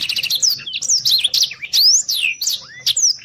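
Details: Black-throated Canary singing rapidly in speed rapet style for training contest birds: a quick stuttered trill, then bright upward and downward whistled sweeps and chips in close succession, with a faint low background hum.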